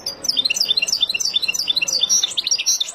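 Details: A wild European goldfinch sings a continuous stream of high, tinkling twitters and quick chattering notes. The phrases run together with almost no pause.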